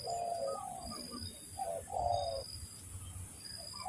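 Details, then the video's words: Tekukur, the spotted dove, cooing for a bird-trapping lure: a drawn-out low coo followed by a two-part phrase, fading into quiet, against a steady high hum. "mikat burung tekukur, mikat burung derkuku."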